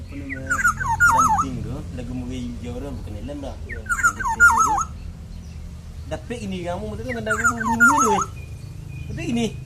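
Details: Black-naped oriole (Oriolus chinensis), song.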